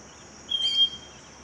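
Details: A Scaly-breasted Wren (Microcerculus marginatus) at Cocorná in the Magdalena Valley gives one long, pure, steady whistled note, high and clear, over a constant high insect hum.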